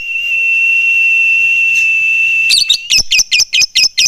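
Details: Lovebird in full song, described as a fighter-type singer with long chattering bursts and close gaps: a long steady high whistle-like tone first, then a rapid series of sharp, harsh chattering notes about every quarter second.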